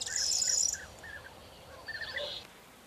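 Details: Corn bunting recorded on 4 June 2022: a brief, loud, high jangling burst of dense rattled notes at the start, then softer whistled phrases and chirps from other birds.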